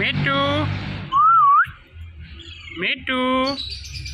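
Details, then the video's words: Indian ringneck parakeet kept as a pet, talking: two short voice-like harmonic syllables with a smooth wavering whistle between them and a faint low background hum. "So Cute Speaking Parrot"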